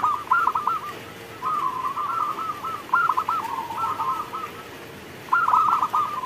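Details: During rainfall, a local zebra dove gives repeated rolling, bubbling coo phrases, several run together in the middle and one more near the end, against a continuous rain hiss.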